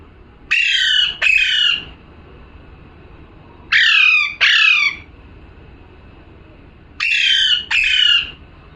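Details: A parrot calls in three evenly spaced bursts, each a pair of harsh, descending squawks, separated by about two seconds of near silence.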